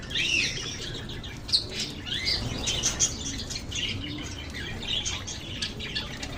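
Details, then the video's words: Lovebirds twittering with high, thin chirps and a few rising whistled squeaks, fairly busy and irregular, several birds calling together over low hum. "RELAXING LOVE BIRDS CHIRPING SOUNDS"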